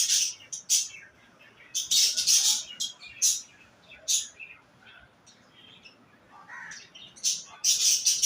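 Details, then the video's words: Budgerigars during mating, giving bursts of scratchy, buzzy chirps and chatter with short pauses between phrases. "#budgies #mating"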